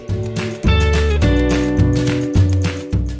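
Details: Plucked guitar music with strummed chords plays throughout, and no animal is heard.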